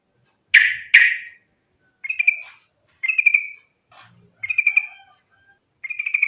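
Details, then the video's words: Sooty-headed bulbul fighting song, used to coax other bulbuls to sing: two loud harsh bursts open, followed by short ringing trilled phrases repeated at roughly one-second intervals. "trucukan gacor tarung sambung ropel ini ampuh buat pancingan trucukan agar bunyi"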